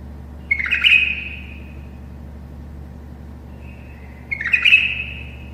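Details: Tame bulbul singing to help other bulbuls learn to sing: two short, bright whistled phrases with quick rolling notes, each ending in a level trailing note, about four seconds apart, over a steady low hum.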